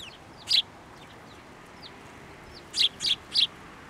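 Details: Sparrows coming to a hand for food at a Tenmangu shrine, 7 December 2023: one loud high chirp, a pause, then three quick loud chirps in a row, with faint twittering between and a steady low hum.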